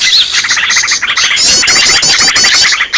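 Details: Lure call of a green leafbird, noisy and excited: fast stuttering chirps stacked with shrill warbled trills, delivered in a continuous burst with no clear breaks.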